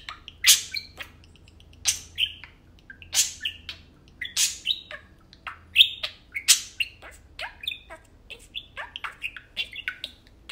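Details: Tame budgerigars, two kept as pets, talking and playing indoors; sharp, buzzy squeaks alternate with softer warbled notes, coming in lively bursts with short gaps throughout.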